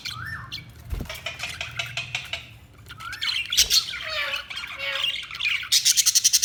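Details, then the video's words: Budgerigars twittering with warbled whistles and harsh squawks, ending in a fast run of sharp, evenly spaced clicking chirps. "Budgies Chirping sound"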